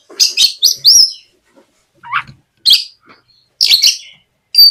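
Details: Oriental magpie-robin (kacer) lure song, gacor ngeplong, meant to make untrained magpie-robins sing. Short clusters of harsh, rapid chirps and twitters with gaps between, plus one lower rising note.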